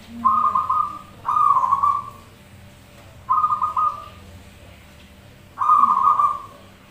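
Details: Zebra doves singing back and forth, a lure recording: four loud trilled phrases spaced one to two seconds apart, some opening with a soft low note, over a quiet background.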